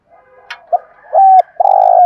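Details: Decoy spotted dove giving thúc gù calls to attract wild doves: soft low murmurs, a short tap, two clipped coos, then a long loud buzzy coo that sags at its end.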